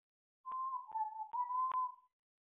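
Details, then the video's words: An African grey parrot whistles a pure, tuneful phrase of the learned melody "Bella ciao" for under two seconds, notes gliding gently down then back up. "the African grey parrot - “Bella ciao” whistling rehearsal"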